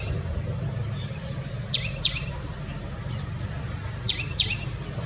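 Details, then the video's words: A common tailorbird (Orthotomus sutorius), a resident of urban gardens in India known for loud calls, gives two pairs of sharp, high, emphatic notes about two seconds apart over a steady low rumble of distant traffic. "दर्जी पक्षी - A Songbird"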